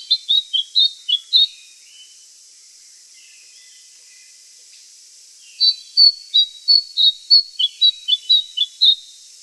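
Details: Andaman bulbul, an Andaman Islands endemic, calling in two bursts: six quick high chirps, a few seconds of near silence with faint soft notes, then a longer run of about a dozen sharp, rapid chirps.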